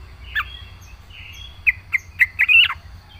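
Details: Yellow-vented bulbul, a kept singing bird, giving a few separated liquid chirps that build into a short bubbling warble near the end, over a faint low hum.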